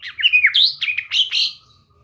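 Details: Brief burst from a white-rumped shama kept for song training: fast, bright chattering and twittering notes, high and slightly harsh, trailing off within two seconds.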